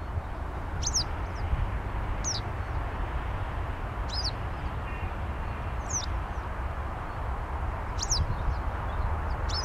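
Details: A western yellow wagtail gives thin, high, sharp calls every one to two seconds over a low rumble of wind or distant traffic, in summer on a wasteland amid city buildings in Saint Petersburg.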